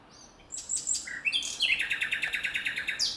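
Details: Nightingale in natural surroundings: varied whistled opening notes that step upward, then a long, rapid, rhythmic series of repeated throbbing notes, ending on a high bright note.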